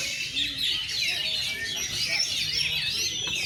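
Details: Oriental magpie-robin on its first contest hanging, fluffing up and singing shooting and running phrases; crowded overlapping whistles and rapid chirps from several birds.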